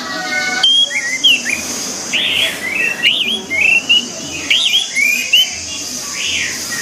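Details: Orange-headed thrush (anis merah) singing for training: fluid, looping whistled phrases in short bursts, some swooping up and down, with steady background noise and a faint hum.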